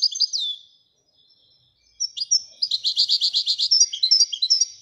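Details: European goldfinch (royal goldfinch) singing: a few slurred high notes, a pause, then a run of rapid bright chirps and twittering trills.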